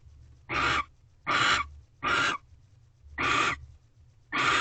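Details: Hoarse, breathy screeches from barn owls at a corral nest box on a February 2023 night while mating and mouse deliveries go on, five rasping bursts spaced roughly evenly under a second apart.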